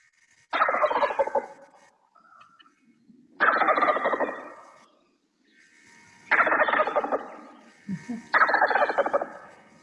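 A Wild Turkey gobbles four times, about every three seconds: loud, rapid, rattling bursts, each roughly a second long, with quiet gaps between.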